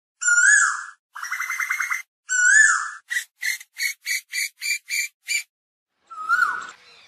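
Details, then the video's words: Asian koel calling to its flock: drawn-out slurred notes with strong overtones, a fast bubbling phrase, then eight short sharp notes in an even run, and one final falling note. "Tiếng chim Tu Hú gọi bầy"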